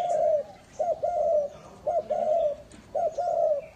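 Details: Spotted dove decoy calling to lure others, recorded 2019: low, soft coos in a steady repeated phrase, a short clipped note then a longer level hum, the pattern returning about every second.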